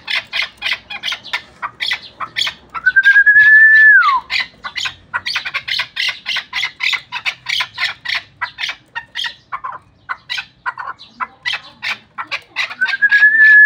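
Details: Continuous repeated chuck calls from a Pamir hunting chukar, around three per second, broken twice by a long smooth whistle that rises then drops.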